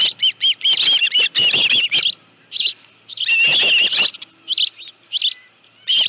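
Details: Osprey at the nest holding a live fish, 25 July 2018, 5:23 PM; a dense opening run of piercing whistled chirps, a short lull, then another intense burst followed by scattered single high chirps.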